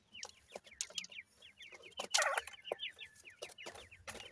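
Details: Captive grey francolin chicks, bred from a gora teetar male and a dakhni teetar female, give a dense stream of short, high, downslurred cheeps, many overlapping, with sharp knocks and a louder broad burst midway.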